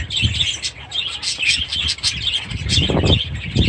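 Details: Aviary budgerigars with their chicks, 23 July 2017, chirping and warbling in high, uneven bursts, with low fluttering and rustling of wings toward the end.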